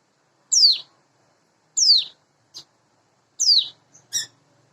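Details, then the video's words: Morning song of a caged, hand-raised sunda bush warbler (ciblek gunung), roughly eight months old; three high, piercing downslurred whistles spaced about 1.4 seconds apart, with brief soft ticks and a short buzzy note between. "suara ciblek gunung / cigun dipagi hari"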